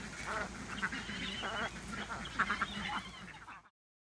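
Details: About 23 excited domestic ducks, mostly females with three males mixed in, give soft, rapid, low-pitched quacks, almost like purring. These signal happy excitement, in short uneven bursts over low farmyard noise, with a guinea fowl calling nearby.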